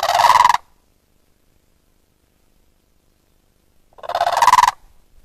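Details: A pair of blue cranes (Grus paradisea) with a waterbuck nearby at Zulu Rock Game Ranch, KwaZulu-Natal, gives two loud, rattling, croaking calls about four seconds apart, each about half a second long, with silence between.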